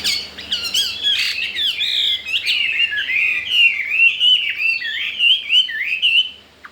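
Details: Caged Chinese hwamei, a wild-caught bird newly arrived and described as singing well; a rich, continuous warble of twisting whistled notes that slide up and down, fading out at the end.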